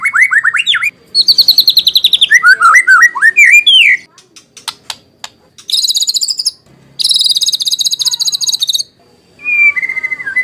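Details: Provoking song of a white-rumped shama: rising whistled trill, slurred swooping notes, a pause with clicks, then two long bursts of fast high buzzy rattling and a closing descending whistle.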